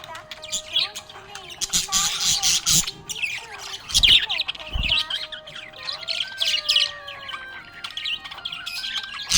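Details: Happy budgerigar chirping: dense, fast warbling chatter of squeaky chirps and short screeches, nearly continuous with loud bursts around four seconds, over a steady, stepped tonal melody in the background.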